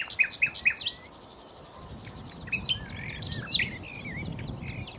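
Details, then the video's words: Common nightingale singing a quick series of six loud, evenly spaced sharp notes, a short pause, then a varied phrase of clicks and slurred liquid whistles, with soft background twittering. "chant de rossignol"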